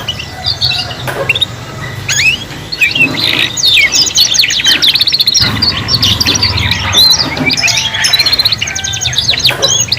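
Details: Three young canaries learning to sing together: dense overlapping chirps, rapid trills and sweeping whistles, with a brief quieter gap near the second second and a steady low hum beneath.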